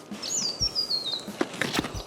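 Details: In south-east Queensland, a thin, very high Scarlet Honeyeater call slides downward in a tinkling run under a second long, heard on an overgrown walking track with footsteps crunching.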